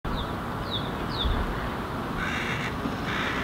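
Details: Hooded crow (Corvus corone cornix) fledgling on a stone in Helsinki, Finland, June 2017, vocalizing and gesturing at its parent: three short, thin, falling notes, then a rougher, harsh drawn-out call, over low wind rumble.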